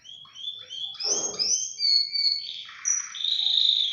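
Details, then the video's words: Tricolor Belgian canary in full song: a continuous stream of clear, sustained whistled notes on steady pitches, linked by brief rolling trills and a short rough burst, with little background sound. "Canário belga tricolor embalado"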